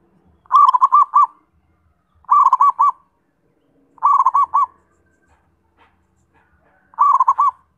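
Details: Zebra dove song: four bursts, each a quick run of four or five soft, rounded cooing notes at mid pitch with a light rolling quality, repeated about every two seconds over a quiet background.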